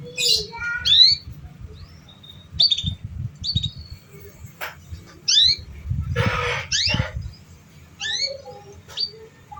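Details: Canary song for coaxing young learner canaries: clusters of quick, rising high chirps and short whistled notes in separate bursts, with a broad noisy burst midway and a low background hum.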